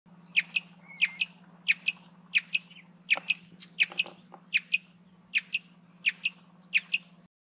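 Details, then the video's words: Marsh antwren song: sharp, high, paired notes, a downslurred chip followed by a shorter clipped one, repeated roughly every 0.7 seconds for about seven seconds over a steady low electrical hum. "Canto do pássaro Bicudinho-do-brejo"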